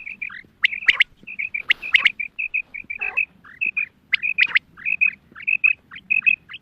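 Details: Female quail call, a special hunting sound: rapid short level whistles and hooked downward chirps, nearly continuous, with sharp click bursts near one, two and four and a half seconds and a brief rasp at three.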